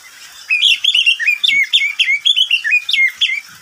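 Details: Short, lively song from a pet oriental magpie-robin at midday: a steady series of bright chirping whistles, each note quickly bending up or down, repeated about three times per second.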